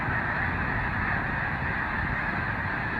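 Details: Huge flock of snow geese on spring migration in Canada, April, at sunrise as they leave the water for feeding fields, makes a constant roar of overlapping honks so dense no single call stands out.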